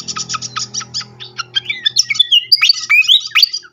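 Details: Srikatan (flycatcher) lure song: evenly spaced sharp chips, then fast twittering with sliding whistled notes. A steady low hum accompanies the first half.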